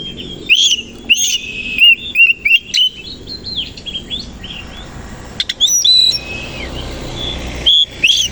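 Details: An Oriental magpie-robin of the koci kind sings in the morning while fluffing and opening its tail. It gives spaced, sweet whistled phrases with slurred and descending notes, a few sharp clicks, and soft hiss between them.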